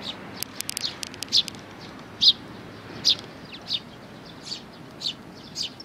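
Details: Sparrow parents and chicks: spaced high chirps about once a second, several louder doubled notes, with a few sharp clicks near the start.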